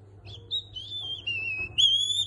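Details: Pet cockatiel whistling human tunes it has learned, including La Cucaracha and a song by Niko Pandetta: clear, pure whistled notes held steady, then stepping to new pitches in short phrases, with a faint low hum indoors.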